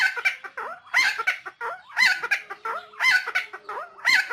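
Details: Nusa Tenggara helmeted friarbird giving a rough, throaty babble of curling, bouncing notes, with loud bursts roughly every second and softer squeaks between.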